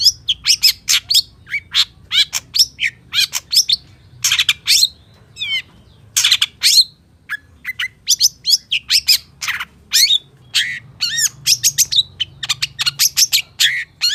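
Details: Long-tailed shrike singing gacor full isian style, a dense, nonstop stream of harsh chattering notes, squawks and quick rising whistles packed into fast, varied phrases with only brief pauses.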